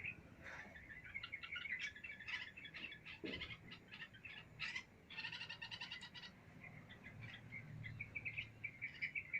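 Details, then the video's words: Several small birds chirp busily on an ordinary day, rapid high twittering notes and short overlapping bursts, with a faint low rumble underneath. "chirping birds"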